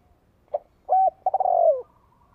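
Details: Spotted dove used as a decoy bird, calling to lure wild doves: a short soft note, then a steady mellow coo, then a longer stuttering, trilled coo that slides downward. Quiet background.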